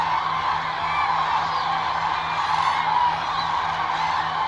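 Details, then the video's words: Eurasian cranes wintering in December 2022 in the Agamon Hula Valley by the Jordan River, Israel: a dense, continuous chorus of overlapping trumpeting calls from a large flock, with a steady low hum underneath. "Ždralovi zimi u Ahula dolini uz rijeku Jordan - Euroasian crane - Grus grus"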